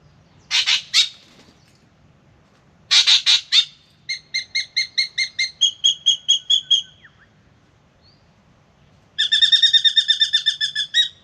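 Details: Spangled drongo, Australian backyard bird, singing in the morning when it comes to drink: two harsh rasping chatters, then a steady string of clipped metallic notes shifting pitch midway, and finally a rapid twangy trill.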